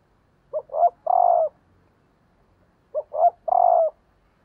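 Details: Decoy female spotted dove calling to stimulate males: two identical clean phrases, each of two short rising notes and a long throaty coo, spaced about two and a half seconds apart.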